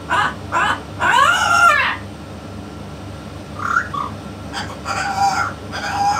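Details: Yellow-naped amazon parrot talking while with a parrot expert: a run of short harmonic, nasal, voice-like phrases, one longer wavering phrase near the start, then scattered brief bursts over steady low background hum.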